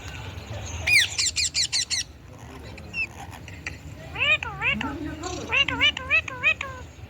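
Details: Indian ringneck parakeet making sounds: a rapid burst of five or six piercing screeches, a lull, then a series of bouncing, warbled notes that rise and fall like mimicked talk, with low background hum.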